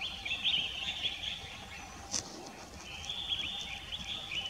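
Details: Collared finchbill recorded at Lugu in December 2022: bursts of quick, chattering high chirps in a dense band, with a brief gap mid-clip before the twittering resumes, over steady background hiss.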